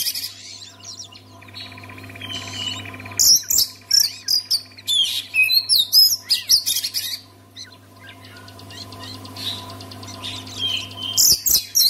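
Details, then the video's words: Oriental magpie-robin song used to coax other magpie-robins into full song: a quiet start with a soft buzzy trill, then a long energetic run of loud whistles and harsh notes in rapid bursts, a lull, and more bursts at the end. "SEKALI DENGAR KICAUAN KACER INI PASTI LANGSUNG GACOR"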